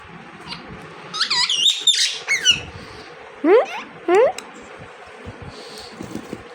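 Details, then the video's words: Pet parrot indoors making talking sounds: squeaky rising and falling whistled syllables, then two sharp upward-sliding squeals, between a person's quiet coaxing voice and room noise. "Parrot Talking Mithu Mithu"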